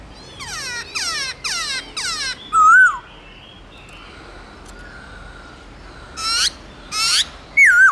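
Black-throated laughingthrush singing loud, clear phrases: quick bursts of falling whistled notes and a wavering fluty whistle, separated by short pauses.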